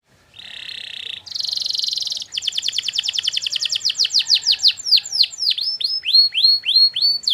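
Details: Long canary song meant as a training model that other canaries answer: a buzzy trill, then a dense rattling trill, then fast repeated sweeping notes, high and clean with little background.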